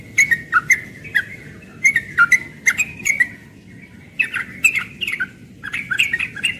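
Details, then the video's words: Morning song of a young yellow-vented bulbul in 'ropel' style, meaning rapid delivery: short liquid whistled phrases with bubbling, up-and-down notes, broken by brief pauses and sharp dry clicks. "Trucukan muda ropel pagi"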